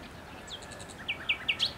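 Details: In May bushes, a thrush nightingale delivers three emphatic, evenly spaced repeated notes after a faint thin whistle, ending with a higher rising, slightly rough note; recorded 8 May 2021.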